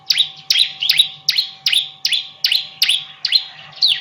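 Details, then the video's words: A bar-winged prinia repeats one sharp, bright chirp that drops in pitch, about every half second in an even rhythm, a song used for training other songbirds; faint hum behind. "Masteran Burung Ciblek Super Gacor"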